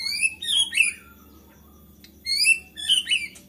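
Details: White-rumped shama singing in an agitated state, said to provoke other shamas to sing; short high slurred whistles and squeaky notes in two brief bursts with a quiet gap between.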